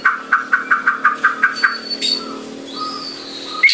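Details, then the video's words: White-rumped shama singing at full volume in a phrase meant to provoke other birds: a run of eight evenly spaced loud notes, then thin high whistles and a final sharp note, over a faint background hum. "Murai Batu Gacor Tembakannya Bikin Emosi Burung lain"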